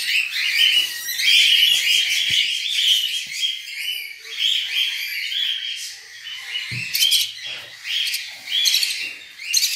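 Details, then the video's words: Budgerigar babies lifted from their nest keep up a continuous chorus of raspy, buzzy chirps with rising and falling loudness, punctuated by sharp clicks and knocks of handling. "Tirando os filhotes de Periquitos do Ninho"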